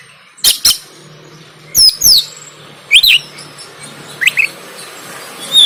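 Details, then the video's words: Oriental magpie-robin fighting song recorded in Banten on an Android phone: separated groups of sharp clicks and bright, sweeping slurred whistles about every second, over faint hiss and low hum. "KACER KONSLET TARUNG"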